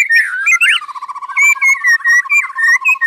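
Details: White-rumped shama, known locally as murai, singing nonstop: rich whistled phrases that slide and loop near the top, over a steady run of short repeated lower notes, with brief pauses between bursts.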